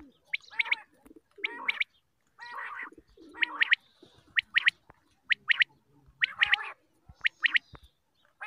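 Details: Morning calling of a quail group, used to attract birds when hunting: short bursts of harsh, rapidly pulsed notes repeated about once a second, separated by silent gaps.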